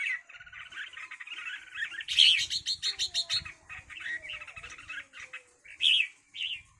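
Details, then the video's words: Red-whiskered bulbuls fighting: continuous buzzy chatter broken by a loud rattling burst of rapid pulses, then scratchy notes and a shrill squeal, with faint low thumps beneath. "cho chào mào đá nhau"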